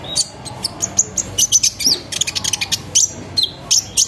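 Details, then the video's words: Sunbird song used as a lure for other sunbirds: an energetic stream of very high sharp chirps and brief squeaky whistles, packed closely with barely a pause. "PANCINGAN KONIN NGERIWIK NGEROL NEMBAK GACOR BIKIN KONIN LAIN IKUT BUNYI"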